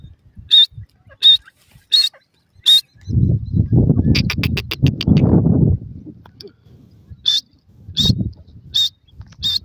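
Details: Female grey francolin (teetar) teaching her young, giving sharp, high notes in short bursts at the start and end, broken by a loud stretch of low rumbling noise in the middle.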